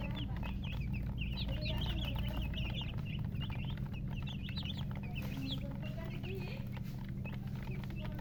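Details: Baby chickens (murgi) chirping together, rapid high peeps about three per second, some with a quick upward flick, overlapping from several chicks, with a constant low droning hum underneath.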